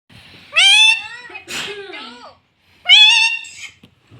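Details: Pet green rose-ringed parakeet talking: two bursts of high, nasal, word-like syllables with rising-falling inflections, separated by a softer murmured phrase and a brief silence.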